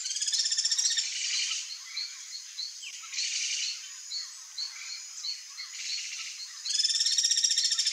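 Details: Ringed kingfisher calling in the wild: harsh, rapidly pulsed rattles, one about a second long at the start and another near the end, with a steady series of soft high chirps from other birds or insects between them.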